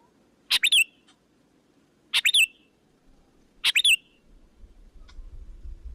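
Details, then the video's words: Sooty-headed bulbul calling as a lure for other bulbuls: three bursts about 1.5 seconds apart of scratchy then clear, descending whistles, followed by a rising low rumble of background noise. "Puluhan Bl langsung Berdatangan,Suara Pikat Gacor Memanggil"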